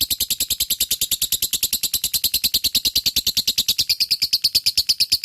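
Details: Fighter lovebird in full ngekek, played to get lazy lovebirds singing: an unbroken, very fast shrill chatter lasting over five seconds, the notes rising slightly in pitch toward the end.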